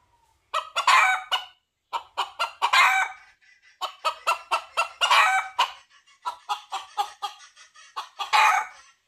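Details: Junglefowl crowing in search of a female: rapid series of short harsh notes broken by several longer, rough crow phrases, a dense run of loud calls with barely any pause.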